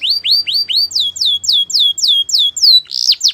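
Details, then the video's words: Canary training song: loud rising whistled notes repeated quickly, shifting to a run of descending slurred sweeps, ending with a harsher buzzy note. "The Best Canary Training"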